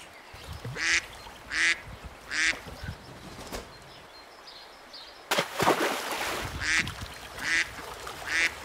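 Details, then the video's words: Duck quacking on a lagoon where ducklings swim, a run of short rasping quacks roughly every three-quarters of a second, broken midway by a burst of broad noise before the quacks resume. "Som de Pato - Patinhos na Lagoa - Duck Sound"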